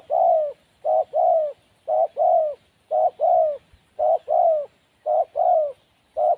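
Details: Wild spotted dove, said to be shy, cooing continuously in paired mellow notes. A brief hoot is followed by a longer, gently falling one, the pairs repeating about once a second with short gaps.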